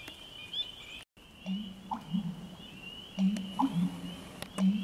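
A bittern gives deep, low grunting notes in short irregular bursts, over a steady high insect-like whine and a brief gap of silence.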